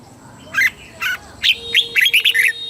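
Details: Red-whiskered bulbul song in the southern master style, played to excite caged birds and teach young birds: scattered bright notes, then a quick burst of five chirpy, slurred notes near the end.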